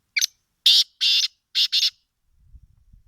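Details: Black francolin calling in winter: a harsh, grating series of five short rasping notes, the first thin and brief, the rest fuller and clustered, all within two seconds, followed by faint low rumbling.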